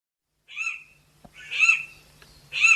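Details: Chestnut Forest Rail, a shy rain-forest floor rail of New Guinea, giving three harsh, raspy squealing notes roughly a second apart, each high and grating, over a faint low hum.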